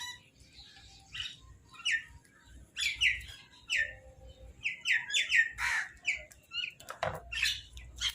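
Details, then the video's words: Crows squabbling over food give harsh, short caw-like squawks in quick irregular bursts, several birds overlapping, with chirpier notes mixed in and a low background rumble. "Crow Food Call"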